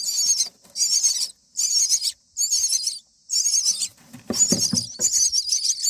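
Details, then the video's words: Nestling mynas beg as an adult feeds them black crickets, day 9: rasping, shrill bursts about half a second long, separated by short silences, with soft knocks near the end. "Myna Feeding BLACK CRICKET to baby birds | Birds in nest"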